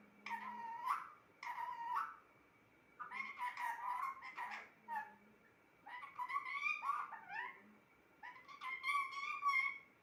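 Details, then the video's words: Pet parrot talking indoors: four short speech-like phrases with voiced, vowel-like tones and breathy consonants, separated by pauses of about a second. "Talking parrot"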